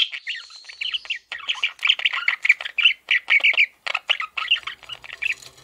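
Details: Pet male budgerigar warbling in fast, raspy chattering phrases, repeated chirps and squawks packed closely together with only brief gaps.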